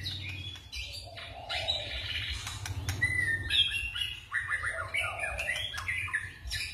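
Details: White-rumped shama singing in forest style, changing phrases: fainter whistled slurs and high notes over a steady low background hum.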